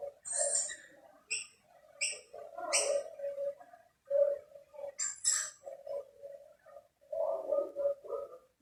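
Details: Rainbow lorikeets competing at two plates of snack, a dominant male chasing others from the food; short harsh screeches with bright upper overtones, separated by low chattering murmurs and pauses.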